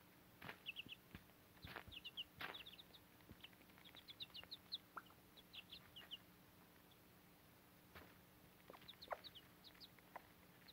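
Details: Young backyard chickens with their Cochin mother hen, feeding on fodder and nearly grown; soft high peeps come in scattered bursts among frequent dull taps and rustling, the whole scene faint and busy.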